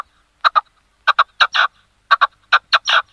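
A red-legged partridge gives its harsh, rhythmic chuffing song, two sharp notes and a longer grating one, repeated about every second against quiet.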